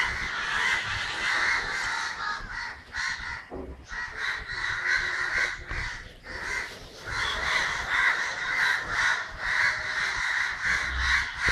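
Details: Kerala crows on 9 December 2012 producing a loud, rough chorus: many overlapping caws repeated rapidly and unevenly, about two per second, with no other clear sound.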